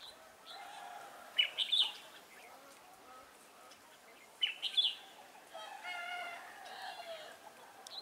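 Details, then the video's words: Red-whiskered bulbul used as a trainee decoy in a trap set for wild bulbuls, recorded 11 December 2016; two short bubbly warbled phrases about three seconds apart, then fainter layered chirping, over a hissy background. "Bẫy chào mào Mồi tập sự ra trận"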